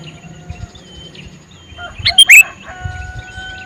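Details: Male sooty-headed bulbul gives one quick, gurgling call of a few notes midway, among faint, long whistles and soft chatter from other birds.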